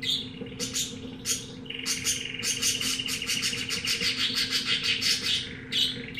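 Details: Singing pet canary of unknown breed: a few sharp introductory chips, then an even whistled note running into a rapid buzzy pulsing trill of high notes, over a low electrical hum.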